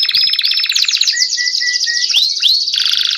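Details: Copper-coloured Belgian canary in vigorous song: a dense, loud, continuous run of high rolling trills and whistles, with a few lower steady whistled notes and quick upward-sweeping slurs.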